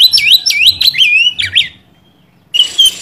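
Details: Oriental magpie-robin song meant to provoke a rival: a fast tumbling run of looping, warbled whistles, a short silence, then a noisy burst with a whistled note.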